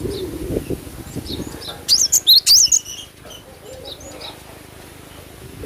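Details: Cinereous tit (glatik batu) in vigorous song: a brief burst of about five high, looping, whistled notes rising and falling in quick succession mid-clip. Faint rustling and scattered soft chirps fill the rest.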